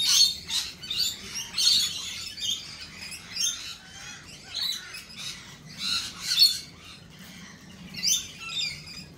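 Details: Lorikeets calling at a cafe: loud grating screeches in short bursts about every second or two, with rougher chatter between, several birds overlapping.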